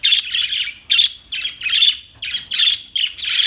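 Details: Close budgie chatter: rapid harsh chirps and grating warbled notes, repeated in bursts a little over once a second, with no other sounds.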